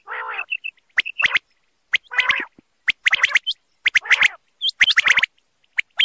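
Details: Common quail, male, calling: a low nasal burst opens, then sharp clicking notes in rapid triplets roughly once a second, with upward-hooked higher chirps mixed in.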